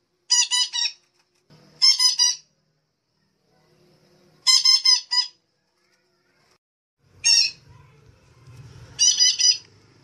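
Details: Lure call of the red-breasted parakeet for bird trapping, repeated groups of two to three harsh, nasal squawks over several seconds, with intermittent low rumbling in the background.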